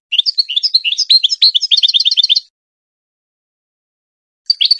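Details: Goldfinch song for training hybrid chicks to sing: a long, fast stream of high, chattering twitters and rapid repeated notes, a pause, then a few more chirps at the end.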